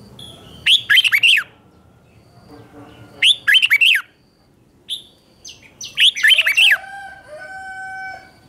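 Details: Red-whiskered bulbul, morning training song, loud clusters of lilting whistled notes in three main phrases, with a short single note and some drawn-out thin whistles near the end.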